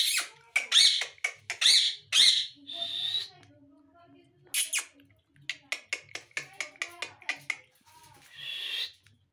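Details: Ringneck parrot talking: a fast run of harsh, squawky syllables with mimicked speech-like phrases, short bursts in two clusters separated by a brief pause, some bursts sharply accented, recorded indoors.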